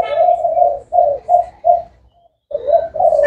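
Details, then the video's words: Low throaty cooing from a 'thái hậu' spotted dove: a drawn-out phrase, three short separate coos, a short silence, then more rolling coos. "Cu gáy thái hậu"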